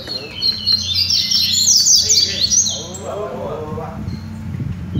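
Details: Double-collared seedeaters singing during a training session, a fast tumble of high, thin chirps and sweeping whistles for about three seconds, then lower, rougher notes and a background hum.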